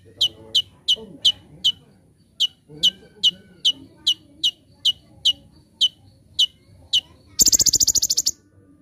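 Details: High, clipped descending notes repeated roughly twice a second from an olive-backed sunbird in lively form, recorded as a master for teaching birds, ending in a burst of very fast buzzy trilled notes; soft low voices murmur underneath.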